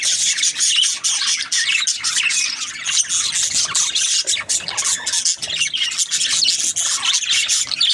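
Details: Noisy budgerigar chatter: a dense stream of shrill chirps, squeals and buzzy warbles from many birds, continuous from start to finish.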